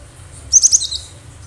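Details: A wild cinereous tit gives a quick cluster of three or four sharp, very high chirps trailing into a softer lower note, set against a low background hum; the recording is meant to lure other birds.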